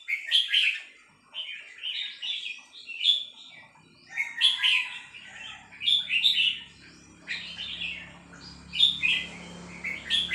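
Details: Female red-whiskered bulbul singing a three-syllable song style: bright, warbled whistled phrases of several syllables, repeated about every one and a half to two seconds with short pauses, and a faint low hum in the background.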